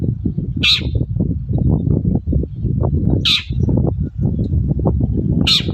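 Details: Long-tailed shrike in the morning, used as a lure to make other shrikes answer: three harsh, rasping bursts spaced about 1.3 seconds apart over a constant low rumble.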